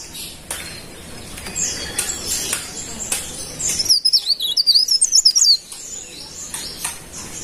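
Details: After several seconds of hissy background noise, a golden-bellied gerygone (pare pare bird) delivers a single thin, high, wavering warble of rapid notes lasting under two seconds.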